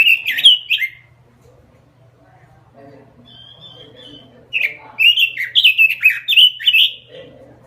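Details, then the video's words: Robin lure song: loud slurred whistles, a pause with a thin high trill, then a lively run of bright, rising and falling whistled phrases over a steady low hum. "Suara Pikat Burung Robin Full Gacor"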